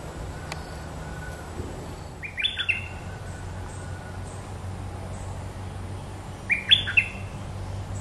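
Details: Red-whiskered bulbul singing two short, quick whistled phrases about four seconds apart, each a cluster of bright rising-and-falling notes, over a steady low hum and hiss.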